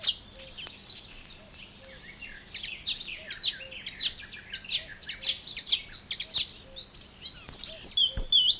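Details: Marsh Warbler song recorded in water-meadows and coastal pastures at Matsalu: a fast, varied jumble of high chattering and mimicked notes, with a soft low whistled note repeating about every half second and a burst of sharp trills near the end.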